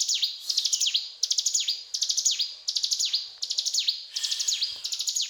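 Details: Energetic cetrakan-style singing from a mountain tailorbird: short, shrill stuttered note bursts, each closed by a steep descending sweep, repeated steadily around eighty times a minute against a quiet background.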